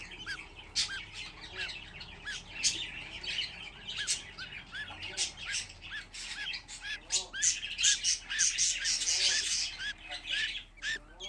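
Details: Fifteen budgerigar nestlings kept together, sustained high chirping that grows denser and louder toward the end into a continuous squawking chorus.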